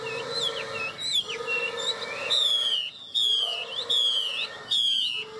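A hwamei sings loud, rich whistled phrases, sliding notes mixed with rapid trills, repeated about once a second over a steady low hum.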